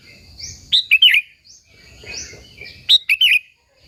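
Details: Energetic Sooty-headed bulbul song for luring local bulbuls. Two bubbly phrases, each several rapid liquid, chattering notes, about two seconds apart, with softer background chirping in between.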